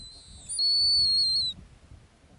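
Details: Single long, level, high-pitched whistle lasting about one second from a female snowy owl on her ground nest in the Arctic, followed by quiet.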